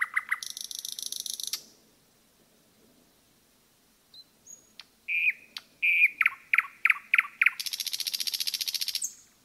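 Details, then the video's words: Common nightingale in woodland, singing a pulsed trill and a buzzy burst. After a pause it gives varied short whistled phrases, then ends on a high, rattling buzz. "пение СОЛОВЬЯ в лесу"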